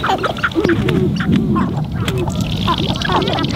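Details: Several sharp-tailed grouse on their lek in spring in Montana, heard from a blind: quick clucks, cackles and brief whining notes overlapping, with wind noise underneath and faint higher chatter.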